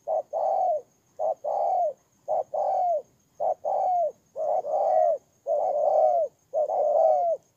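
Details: Decoy spotted dove from Kon Tum, Vietnam: mellow low coos, each a short note followed by a longer, slightly falling hoot, repeated in a regular rhythm of nearly one phrase per second.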